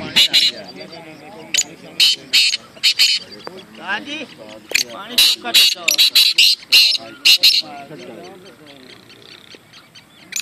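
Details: Black francolin at a francolin singing tournament giving harsh, grating bursts of high, scratchy notes in quick clustered phrases, with men talking loudly over much of it.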